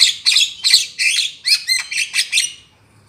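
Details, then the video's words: Javan myna (jalak kebu) trapping lure: a quick run of harsh, buzzy squawks mixed with short whistled slurs, ending in silence. "SUARA BURUNG JALAK KEBU DI JAMIN MANTAP DAN AMPUH"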